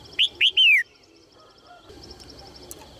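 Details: Calling to prompt males to sing, a female red-whiskered bulbul delivers one clear phrase of two clipped upslurs and a long falling whistle. A new phrase begins at the very end, with faint distant bird ticking between.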